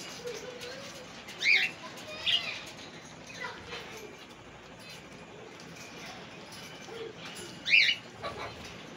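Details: Indian ringneck parrot, male and female, gives short, sharp, high screeches, singly at about 1.5 and 2.3 seconds and again near the end, against a quiet background with faint low murmuring.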